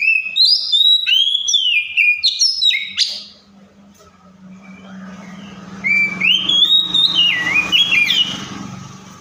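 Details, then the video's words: An Oriental magpie-robin sings in imitation of other birds: a fast series of bright rising and falling whistles, a pause filled by a steady low hum, then more twisting whistled phrases. "COPSYCHUS SAULARIS SOUNDS LIKE THE WILD MAKES OTHER BIRDS SOUND!"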